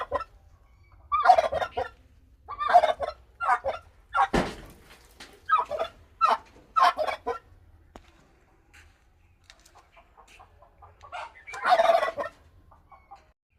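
A Bourbon Red turkey gobbles in rapid rattling bursts, about eight in the first seven seconds, then a softer stretch and one last loud gobble.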